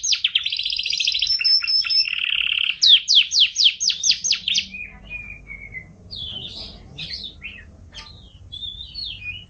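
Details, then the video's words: Canary master song for training songbirds: a dense buzzy trill, then a run of sharp descending notes, followed by quieter scattered warbles and whistles over a soft low hum. "Suara Burung Kenari | Gacor"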